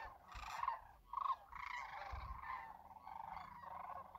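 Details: Winter flock of Sandhill Cranes at Whitewater Draw, Arizona, heard day and night from a lakeside campground; a few louder rolling calls stand out above a rippling chorus of distant cranes.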